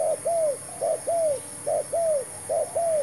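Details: Spotted dove acting as a trapping decoy, with a new bird and new trap being tried; four paired coos, each a clipped note followed by a long downward-curving one, with a continuous faint whine.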